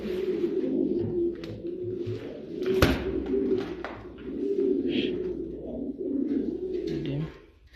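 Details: Saudi Arabian fancy pigeons kept as a hobby in Noakhali, cooing in repeated deep, rolling phrases for several seconds, with a loud clack partway through and light shuffling noises.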